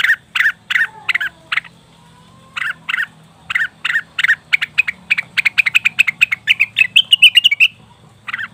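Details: Lure sound of a leafbird, cucak wilis or rengganis: spaced rasping notes, a brief pause, then an accelerating burst of rapid chirps ending in a high twittering trill, over faint humming.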